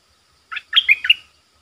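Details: A Streak-eared bulbul lure bird calling wild birds, with 'sap dok' and 'rik' style calls: a short burst of four liquid, chirping notes, the middle ones loudest, then silence.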